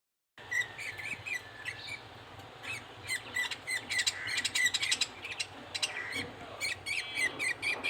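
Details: Male budgerigar feeding its chick: rapid squeaky high calls, many per second, mixed with short scratchy broadband bursts, growing busier and louder over the second half, over a steady low hum.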